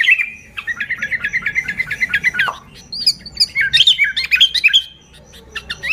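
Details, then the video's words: Sooty-headed bulbul song meant to lure bulbuls: a rapid run of chattering, bubbling notes, then a brighter, jumbled series of rising and falling whistled phrases. "Suara Burung Kutilang Gacor ASLI Tanpa isian, Ampuh untuk Pikat Kutilang"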